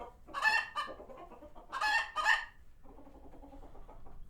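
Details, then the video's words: Farm sanctuary chickens reacting to a passing hawk: two loud squawking bursts, then quieter low, steady clucking from the flock. "Chickens Gone Wild | Farmyard Frenzy |Authentic Clucking Sounds"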